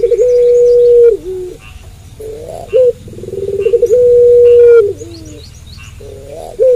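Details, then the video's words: Dove heard cooing at night, called puter pelung: a rolling, pulsing lead-in swells into a long, steady, level coo lasting about a second, given twice, with short clipped notes between the phrases. "Puter Pelung Gacor Manggung Malam Hari"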